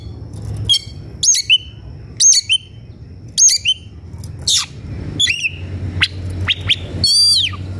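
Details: Agitated Oriental magpie-robin singing while seeking a rival to fight: loud whistled phrases with sharp upslurs and downslurs, given in short bursts about once a second, ending in a rapid warbled flourish over a low background hum.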